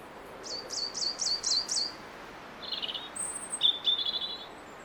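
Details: Robin singing around garden feeders: a quick run of six high, looping notes, then a pause before thin high whistles and short buzzy, trilled phrases, over a faint low hum.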